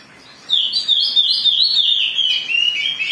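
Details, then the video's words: An Oriental magpie-robin in an agitated state, sung as bait to stir others into singing, bursts in after half a second with a continuous stream of bright, loud, slurred whistles that waver up and down with no pause. "Pancingan Kacer Gacor || Suara Kacer Emosi"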